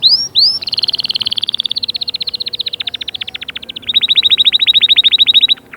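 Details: Canary in song, meant to push young birds to sing and ready the females: two swooping whistles, then long, very fast rolling trills of evenly repeated notes lasting several seconds.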